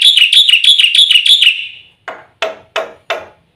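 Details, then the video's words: Black-winged starling song used to prompt kept birds to sing: a quick run of buzzy wavering notes trailing off, then four evenly spaced harsh rasping calls. "suara burung jalak putih full isian RAJANYA PANCINGAN - MASTERAN bikin gacor PAGI - SIANG - MALAM"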